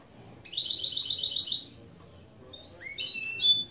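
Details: Opening phrase from a mule hybrid of goldfinch and canary: a fast buzzy trill lasting over a second, then rising whistled notes and a clear high ending note, sung as a lesson.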